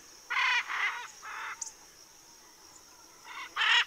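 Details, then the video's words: Macaws cooling off, recorded 7-12-2023 in Southern California: harsh, raspy squawks, three quick bursts early then two more near the end, with a steady high whine running underneath. "Guacamayas refrescándose"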